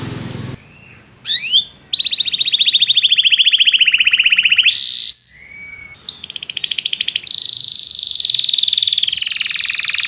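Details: Singing canary meant as a learning model for young canaries: long fast buzzy trills at steady high pitch, a short whistled note, then a sustained rapid rattling trill with slight falling pitch.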